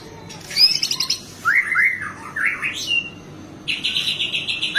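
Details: Captive White-rumped shama in full song used as training audio for other birds: varied whistled phrases, a rapid chattering burst, slurred rising whistles, then a fast repeated buzzy trill, with faint steady background hiss.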